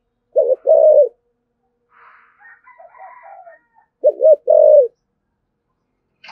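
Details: Two deep spotted dove coo phrases, each a stuttered double note and longer hoot, in the 'thúc gù' style of a 'thổ'-voiced bird used to provoke wild doves, with soft warbling chirps between.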